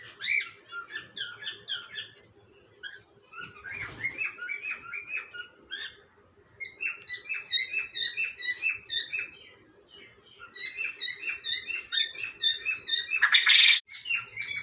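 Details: Cockatiels chattering in a busy run of short, stacked chirps, with brief lulls near six and ten seconds, a short rushing noise burst early on and a harsh noisy burst near the end.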